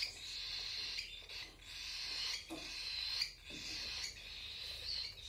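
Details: Cockatiel babies being hand fed produce long harsh buzzing rasps, each lasting about a second, separated by brief pauses, over a low room rumble.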